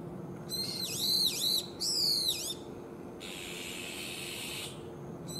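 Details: Young brown-eared bulbuls competing in a spring-to-summer calling contest; loud, shrill, drawn-out squealing calls that swoop down and up, given in two long bursts, followed by a hissy noisy stretch and a faint final squeak.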